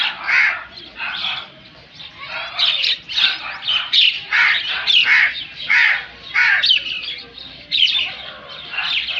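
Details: Crow calling: a series of harsh, hoarse caws in short bursts, roughly one every second, loud and rasping, with a few gaps between runs.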